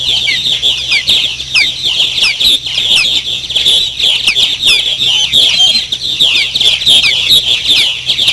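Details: A busy chorus of purple martins at the Maurice River, with many overlapping chirps, creaks and gurgles running together without a break; no other sounds stand out.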